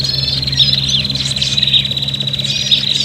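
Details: Agitated prinia chatter used to lure birds: a continuous, shrill, buzzing trill at a high, even pitch with small sharp notes on top, over a low steady hum.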